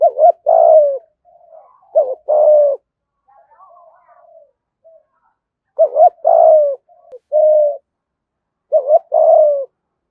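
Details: Repeated cooing of a Spotted dove in the 'giọng thổ' thúc gù style, played so wild doves answer and come close: low hollow phrases of a stuttered double note and a drawn-out falling coo, with soft murmurs between.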